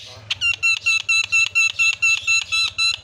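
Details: Javan myna lure call for setting other mynas calling: a steady train of identical harsh, nasal notes, about two per second, loud and evenly spaced.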